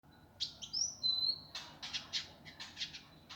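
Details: Indigo flycatcher master song for training birds, in the rough, fast, tightly packed gavor kasar style: high whistled slurs, then a rapid run of harsh chattering notes.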